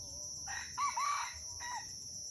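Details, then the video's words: During a crowing contest at Bukit Sibreh, Aceh, a red junglefowl gives a brief raspy crow: a couple of harsh rising-falling notes and a short tail note, with constant high-pitched background buzzing. "Ayam Hutan Aceh # Perang Kokok di Bukit Sibreh"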